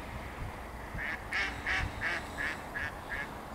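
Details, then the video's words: Mallards quacking loudly, 4 December 2022: a run of seven loud, nasal quacks, about three per second, slightly falling in pitch toward the end, over a low background rumble. "Kaczki krzyżówki głośno kwaczą"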